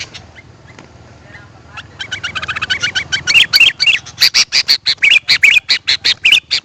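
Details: Sooty-headed bulbul calls used to attract wild birds. A quiet start gives way to a fast run of short chattering notes mixed with bubbly, inflected whistles, repeated rapidly and growing louder toward the end.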